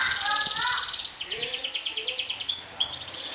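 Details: Kenari sobek canary trilling to provoke rivals, heard through background noise: rapid high buzzy pulsed trills, lower warbled notes early on, and a couple of rising sweeps near the end.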